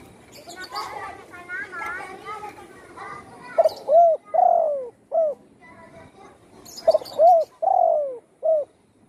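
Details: Injured spotted dove, its wing broken by a shot, now singing at home; soft chirps and voices first, then two full cooing phrases in a row, each with a rounded coo, a long falling coo and a short last note.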